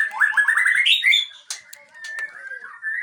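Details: White-rumped shama, the murai Aceh, delivers rapid rising stepped notes climbing in pitch, then scattered clicks and a thin sustained whistle ending in a rising phrase.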